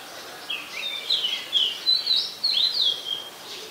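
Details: Softer song of an Oriental magpie-robin from Ubon Ratchathani, Thailand, 20 September 2022, made of quick varied whistles and short slurred notes, repeated irregularly over a few seconds.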